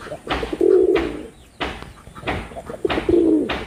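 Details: Male red-bordered wild pigeon performing: low, vibrating coos at the start and end, separated by several loud broad thumps, with faint chirping from other birds.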